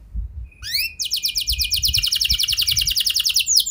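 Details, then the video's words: Canary singing as a lure to set other canaries off on long rolls: a few rising sweeps open into a rapid, even buzzy trill of sharp notes running to the end, with faint low rumbling underneath. "Pancingan Burung Kenari Biar Ikut Gacor Ngeroll Panjang! Pasti Nyaut Kenari Mana Saja Dengan Ini"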